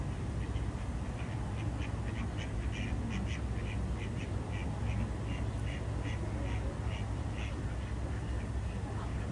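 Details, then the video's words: Ducks swimming on a pond at Jardin aux Canards, Monaco, on a morning: a rapid run of short nasal quacks, about fifteen in nine seconds, over a steady low rumble and soft water sounds. "Relaxing Duck Sounds"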